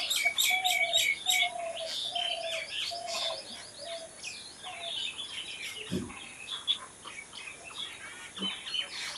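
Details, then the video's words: Several birds chirp and sing in a natural setting: dense bright twitters and tweets overlap continuously while one bird repeats a low, even, piping note about every half second early on, and a soft thud sounds near the end. "Natural Birds Chirping"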